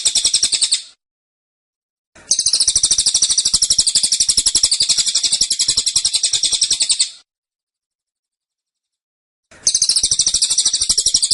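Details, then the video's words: A cililin's dense 'tembakan' song: three bursts of rapid, high-pitched repeated chirps, the longest lasting about five seconds, separated by clean silent pauses. "Tembakan Cililin Suara Rapat Dan Ngotot"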